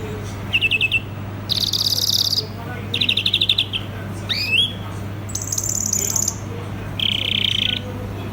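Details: Singing European greenfinch giving separate bursts of dry trills, a pair of rising slurred whistles, a high thin buzzy note and a closing rattle, low electrical hum in the background.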